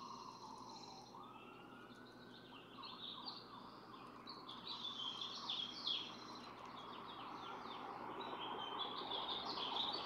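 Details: Barn swallow (Hirundo rustica) pair incubating four eggs, taking turns on the nest; continuous chattering twitter, about three notes per second, after an early siren wail, over constant hiss.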